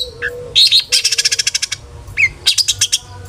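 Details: Long-tailed shrike singing a full, varied song meant to provoke other shrikes into singing: a fast train of about ten crisp, clicking notes, then a short falling whistle and another burst of sharp chirps over a soft low hum.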